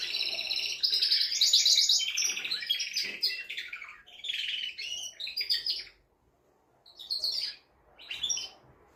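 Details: Male canary song aimed at rousing a female to mate: rapid metallic trills and rolling phrases for about five seconds, then silence and two shorter chirpy bursts.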